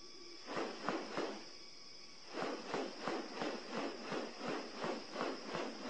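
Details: Male Magnificent Riflebird displaying to a female, opening and closing his wings while moving his head side to side: pronounced, broadband, directional rustling bursts, about three a second, in two runs separated by a brief pause.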